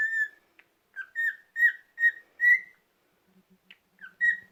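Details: On a rest day a pet cockatiel whistles a short phrase of pure, rising notes, then pauses amid faint low clicking before resuming with one more whistle.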